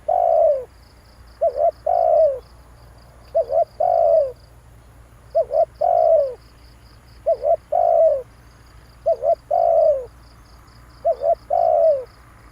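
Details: Lure recording of a spotted dove, giving six phrases, each two short hooting notes and then a drawn-out descending coo, spaced roughly two seconds apart. A rhythmic high insect-like ticking continues behind the bird.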